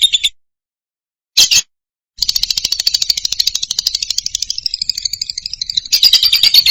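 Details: Loud lovebird song from Indonesia, used for training moulting or reluctant singers: two short chirps, then a long, fast, buzzy trill that briefly splits into thinner twittering before rising loud again.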